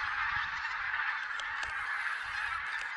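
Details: Silesian goose flock at a November 2016 count, possibly Barnacle, White-fronted, Greylag and Bean Geese, clamouring in a tight mesh of honks, with a few clearer individual calls poking above the chorus.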